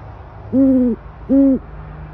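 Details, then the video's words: An owl gives two low, steady hoots about three quarters of a second apart, each flat in pitch and clean-ending, over a quiet background hum. "Sounds of Owls Hooting"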